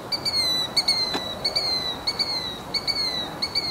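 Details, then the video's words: Northern mockingbird in a backyard Palo Verde tree, singing non-stop day and night; a rapid run of short, sharp, high descending notes repeated many times in quick succession. "Noisy Mockingbird"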